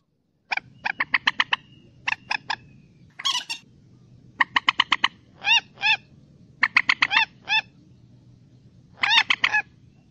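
Common moorhen giving harsh, clucking notes in quick runs of four to six, with a few longer rasping croaks between, over a quiet low hum.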